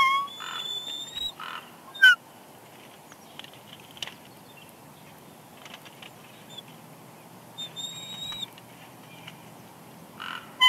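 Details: At a Big Bear Lake, California nest, a female bald eagle whines softly as she eats a fish her mate brought; brief high whistled notes near the start and again later, separated by quieter stretches with soft tapping.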